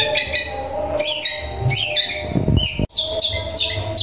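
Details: Long-tailed shrike singing sparrow-style material to provoke rival shrikes: bright high chirps and buzzy double notes in short phrases, a brief gap, then a quick run of sharp tweets.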